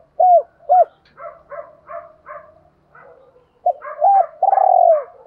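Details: Spotted dove, male and female birds, cooing used to stimulate cooing in training birds; low hooting coos with short rising and falling notes in uneven phrases, several fainter coos in the middle, loud drawn-out coo near the end.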